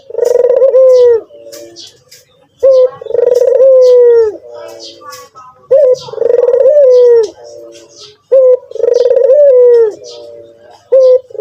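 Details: Puter putih, a white turtle dove, cooing persistently: four repeated phrases, each a short clipped note and a long rolling purr trailing into softer murmurs, roughly every three seconds, with light chirping and clicks in the background.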